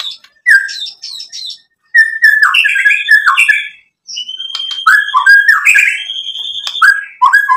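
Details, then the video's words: White-rumped shama song played to provoke other shamas into singing; varied whistled and slurred phrases with quick chattering notes and sharp clicks, a short pause, then a long clear rising whistle leading into further rapid varied phrases. "SUARA MURAI BATU memancing EMOSI jadi BUNYI NYAUT GACOR BONGKAR ISIAN | PANCINGAN MURAI"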